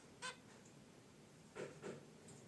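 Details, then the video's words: Pet zebra finches relaxing in their cage beside a wicker basket nest, unedited: three short nasal honks, one alone and then two close together about a third of a second apart, over a quiet room background. "Zebra Finches in Their Cage: Natural Chirps & Sounds"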